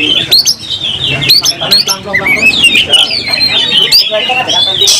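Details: Oriental magpie-robin singing hard while ready to fight, tail fanned and emotional; rising and falling whistled phrases and quick trills, interrupted by abrupt clicking bursts, over a soft low background murmur.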